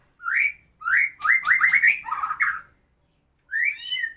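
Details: Murai medan, a white-rumped shama, sings a harsh, rough song used as tutor material for training other songbirds: loud rising whistled phrases near the middle range, a rapid stuttering run of notes, a pause, then a final warbled phrase.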